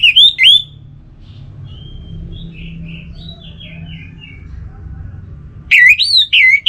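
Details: Orange-headed thrush delivering brief loud looping whistles at the start and end, with a soft sequence of quiet, descending warbled notes between them. Low background hum throughout.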